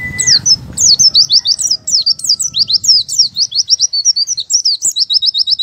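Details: Oriental white-eye, open-beak style song: a short whistle, then nonstop fast, high, sharp chirped notes in jumbled runs, closing on evenly repeated rapid notes.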